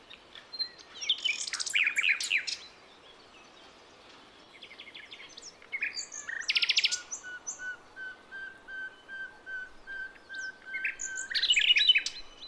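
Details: Wild forest songbird of Java and Aceh, used as a lure for young birds: buzzy chattering bursts, a pause, then a long low steady whistle under a fast high ticking series, ending in another trill.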